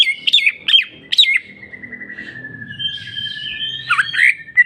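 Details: Cucak ijo (greater green leafbird) in 'jamtrok bongkar isian' singing: three loud squeaky whistled notes, then a long smooth descending whistle held for seconds, closing with a scratchy twisting flourish.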